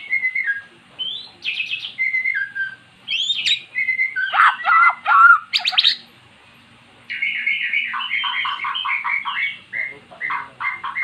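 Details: Magpie-robin singing after being prompted with recorded song, having never sung before. Short whistled notes and harsh bursts are followed by a quick, rhythmic series of fluty double notes.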